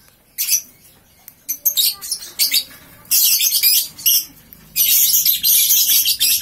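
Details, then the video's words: Ngekek from a lovebird aged three months, just woken: scattered high squeaky chirps build into two long, dense, harsh bursts of rapid shrill chatter lasting over a second each. "Paud 3 bln Bangun tidur langsung ngekek"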